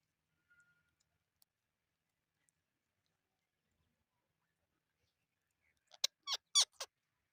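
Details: Parrot after a long quiet spell broken only by a faint thin whistle, then bursting into four rapid, grating screeches in under a second, each harsh and broad with layered overtones.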